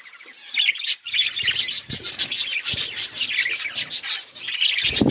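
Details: Flock of budgies at food, chirping busily. Many short, bright chirps and warbled notes overlap in a lively stream, with a few soft low thumps.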